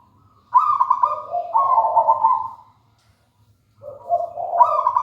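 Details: Local wild-type zebra dove singing actively: a soft, mellow cooing phrase of rolling, stepped notes that rises and falls for about two seconds, then a pause before a second phrase begins; faint low hum in the background.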